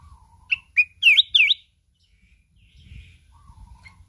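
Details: Mountain red-whiskered bulbul singing hard in contest, wings beating constantly, 'kít bổi' wild style; two sharp whistles lead into loud rolling warbled phrases, then quiet with a faint low whistle and light background rustling.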